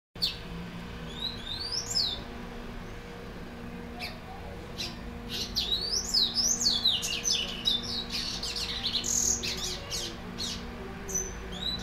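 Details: A well-kept caged white-collared seedeater, a frequent singer, sings a fast, high jumble of sweet whistles and rising and falling slurs, with a steady low hum underneath.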